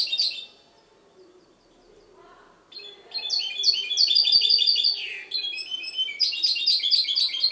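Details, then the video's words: Goldfinch hybrid recorded in Ksar el Kebir, Morocco: a short twitter, a quiet pause of about two seconds, then a loud burst of rapid, jingling high notes and a descending slurred phrase. "mixto jilguero"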